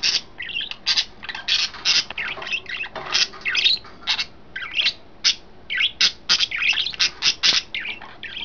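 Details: A trio of pet budgerigars in their newly set up cage chirp almost nonstop, a rapid string of loud, buzzy squawks and twitters repeating several times a second.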